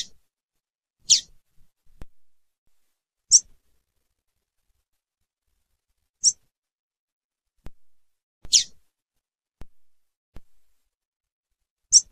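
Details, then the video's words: ['Female coleiro tui tui (double-collared seedeater) giving single brief high-pitched chip calls every two to three seconds, six in all, separated by silence and a few soft clicks.'] "FÊMEA DE COLEIRO TUI TUI CHAMANDO"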